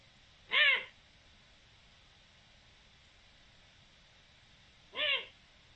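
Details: Two brief, bright calls of a Eurasian eagle-owl, recorded 7 October 2020, spaced roughly four and a half seconds apart, each a rounded arch with stacked overtones, quiet hiss between them.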